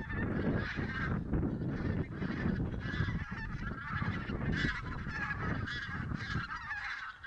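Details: Geese during a goose count in Silesia, 11–13 November 2016, maybe Barnacle, White-fronted, Greylag and Bean Geese; closer, distinct honks in pulsing bursts over a strong low rumble, likely wind.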